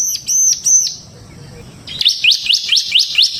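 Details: Semi-gacor bar-winged prinia giving ngebren song as a lure and tutor for other birds: three high, ringing, arched notes, a pause, then a series of upward-flicking chirps about two per second.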